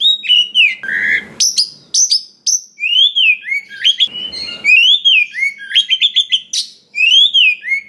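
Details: Rich, loud oriental magpie-robin song packed with mimicked phrases, played to stir other birds to sing and fight: arching whistles, rapid high trills and flicked notes, interrupted twice by short harsh scratchy rasps.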